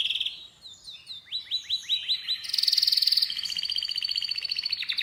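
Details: Canary song that opens with a high note and a series of sliding whistled chirps about four per second. It then moves into fast, bright, rolling trills at a steady high pitch.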